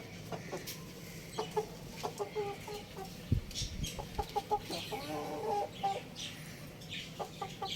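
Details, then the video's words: Chickens kept at home, short low clucks repeated irregularly throughout, some in quick runs, over steady background hiss with faint high chirps from other birds. "Cute Little Rooster Chirping Sounds"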